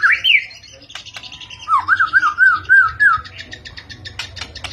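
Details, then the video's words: White-rumped shama of the Medan type singing: an opening rising whistled flourish, then a run of rich looping whistles wavering up and down, ending in sharp high clicks and chips. "Kicauan Murai Medan mantap.."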